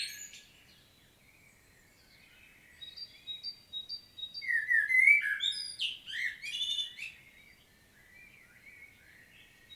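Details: Common blackbird singing in Świnoujście, Poland, 25 September 2022; soft high notes lead into a loud mellow warbled phrase closing with thin scratchy twittering, then quieter song trailing off.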